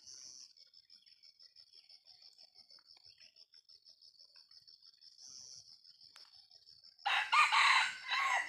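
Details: Junglefowl, a 'jalak' type, recorded in the wild while being lured: steady insect trilling and buzzing through most of the recording, then a loud, harsh, banded crowing call of about one and a half seconds in two parts near the end.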